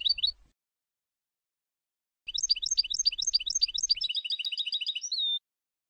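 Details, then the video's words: Tunisian goldfinch performing the Sfax tarqa: a short opening chirp, a pause, then about three seconds of rapid, bouncing high notes that tighten into a buzzing trill and finish with a sustained pure whistle. "الحسون التونسي, طرقة حسون صفاقس للتصنيت بجودة ودقة عالية"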